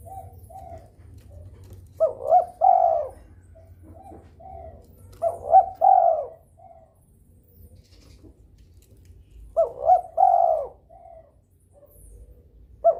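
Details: Spotted dove in breeding condition calling to get rivals calling. Three phrases of two short coos and a longer croon repeat roughly every four seconds, and fainter coos from other doves fill the pauses.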